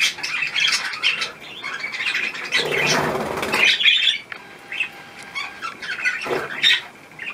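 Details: Pet budgerigars around a leftover apple: scratchy chirps and warbling chatter, a louder burst near the middle with some wing or rustling noise, then scattered squeaky calls trailing off.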